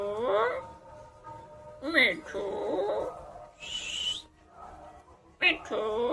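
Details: Talking pet parrot producing speech-like phrases with several voiced, word-like syllables, a bright high whistled note midway and a sharp rising squeak near the end.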